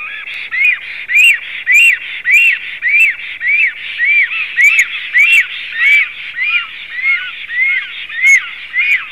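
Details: Black stork pair, male and female, whistling on the evening of 18 April 2016 at 19:35: a rapid series of clear, arched whistled notes, nearly two per second, with some lower overlapping notes and faint high clicks.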